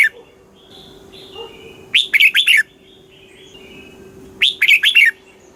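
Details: Red-whiskered bulbul singing southern master-style song in Thailand, aimed at exciting caged birds and teaching young ones: quiet background chirps, then two loud bubbling phrases of four notes each, roughly two and a half seconds apart.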